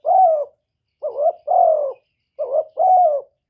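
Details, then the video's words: A decoy spotted dove gives its cooing song. Low, mellow phrases pair a quick double note with a longer sustained coo, repeated roughly every one and a half seconds, with silence between phrases. "Chim Cu Gáy Mồi gáy gù cực chất"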